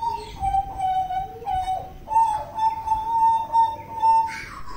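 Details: Butcherbird from Papua giving long, clear, flute-like whistles held on a steady mid pitch, with short dips and a brief lower note between phrases, ending in a rougher noisy burst; low background rumble.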